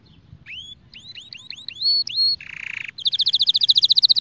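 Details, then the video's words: Canary training song: a series of rising, hooked whistled slurs repeated about twice a second, a long level whistle, a harsh buzzing roll, then a rapid pulsing trill to the end. "أقوى تغريد كناري"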